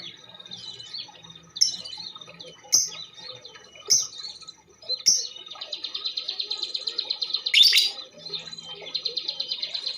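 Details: Female lovebird calling, used as a prompt to get other birds singing; thin whistled notes with sharp clicks give way to a fast, buzzy, evenly repeated chatter in the second half.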